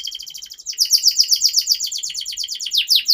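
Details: Continuous canary song for training young canaries: a quick fine trill shifting into louder, rolling chirps repeated about four per second.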